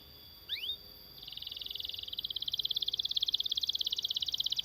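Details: Canary singing a long rolling song meant for tutoring other canaries and prompting them to sing: two brief rising whistles, a pause, then a steady high rapid trill that grows louder, beats evenly spaced, over faint background hiss.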